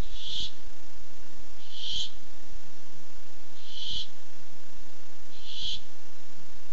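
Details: Barn owl looking for food, nest camera, 7 August 2015: four evenly spaced hoarse screeches, one roughly every 1.7 seconds, each short, breathy and harsh.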